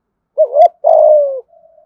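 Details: Single 'thúc gù giọng thổ' phrase from a spotted dove in Đồng Nai: a short rising-and-dipping coo, a faint click, then a long smooth falling hoot trailing into a soft hum.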